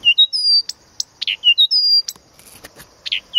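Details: Blyth's reed warbler from Planta in Podlaskie, Poland, singing pure level whistles and rising notes alternating with dry clicks and rasping chack sounds, a phrase repeating roughly twice in three seconds.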